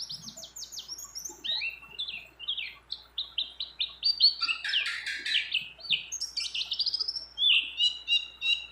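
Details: Female mountain white-eye in breeding condition calling to a male, a vigorous song with phrases of many other birds woven in: a fast, high stream of short down-slurred chirps and twitters, rising into denser warbling bursts, over a faint low hum.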